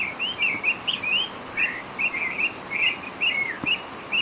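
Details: Short, clear whistled notes from a northern oriole tumble out in rapid, uneven runs over a constant noisy background, with faint high buzzes now and then.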